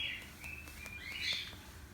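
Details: Cockatiel, called Australian parakeet locally, giving a run of clear, high whistled notes that slide and waver, with a brighter rising phrase near the end and faint clicks in the background.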